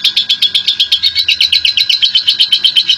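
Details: Lovebird, a national champion, chattering its long ngekek song as a lure for other lovebirds; brisk, regular bursts of rough, buzzy notes, several each second, sustained throughout, with faint low rumble underneath.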